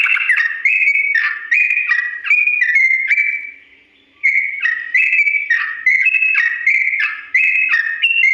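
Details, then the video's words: Slow, drawn-out ropel song of a Sooty-headed bulbul, recorded for training birds to imitate. Rapid steps of whistled notes between two pitches run on, fall silent briefly midway, then restart with the same stepping pattern. "TRUCUK GACOR ROPEL PANJANG NADA PELAN ‼️ UNTUK BURUNG TRUCUK CEPAT MENIRUKAN"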